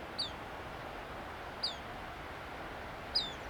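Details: Black phoebe (Sayornis nigricans) perched on an arroyo willow at Asilomar Dunes, California, giving sharp, high, downslurred chip calls about every second and a half over a steady background hiss.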